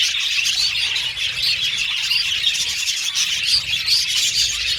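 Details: Budgerigars chirping, their calls described as repetitive and insistent contact calls; a short stretch of dense, bright warbling with squeaky tweets layered over one another.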